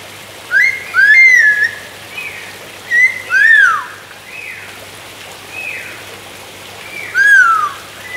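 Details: Palm cockatoo whistling: a series of clear, slurred notes that rise then fall, given in short bursts of two or three with pauses of about two seconds between groups, over a faint steady background hiss.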